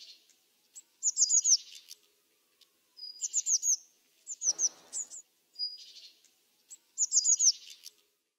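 Eurasian blue tit giving short bursts of thin, high, scratchy notes, repeated roughly every two seconds, with a brief soft rustle midway.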